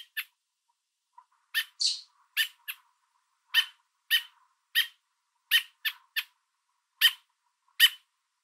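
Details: On a fence in the Niagara area of Ontario, an American robin holding food for its fledgling gives loud repetitive warning calls at an intruder: abrupt harsh chips, irregularly spaced, sometimes in close pairs, one smoother hissy note among them.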